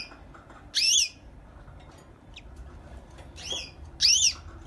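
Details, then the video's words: Canary kept as a pet, singing in the morning: three bright whistled bursts, each a rapid run of rising-falling slurred notes, separated by pauses of one to three seconds, with a faint short chirp between them. "Very beautiful Canary singing"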